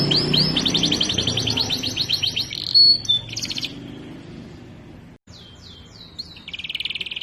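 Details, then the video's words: Canary master recording of a fully singing bird, made for training other canaries: fast buzzy trills and rolling high notes, a short pause, then renewed sweeping whistles and a dense rapid trill, with faint low background hum. "Masteran Burung Kenari Bahan Sudah Gacor dan Durasi Panjang"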